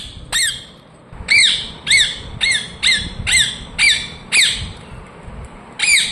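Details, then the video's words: A talking ring-necked parakeet kept as a pet screeches steadily, about two harsh, shrill, down-slurred squawks each second, evenly spaced after one opening call and a short gap. "Ringneck parrot Chirping sounds"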